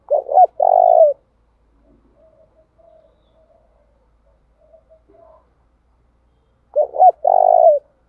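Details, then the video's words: Spotted dove decoy, switching songs continuously to lure wild doves; two phrases about seven seconds apart, each a quick doubled note followed by a long vibrating coo, with scattered faint soft coos in the quiet stretch. "Tiếng chim cu gáy thúc bảo đảm bổi nghe gáy liền, chim cu gáy mồi đảo bài liên tục"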